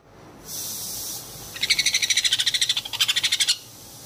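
A sun conure chick gives a rapid, raspy chatter of about eight harsh pulses a second for two seconds, after a brief soft hiss.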